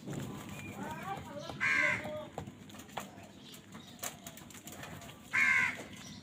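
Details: [['While fighting for food, a crow gives two loud, hoarse caws nearly four seconds apart. Sharp taps and a faint voice-like murmur are heard between them.']]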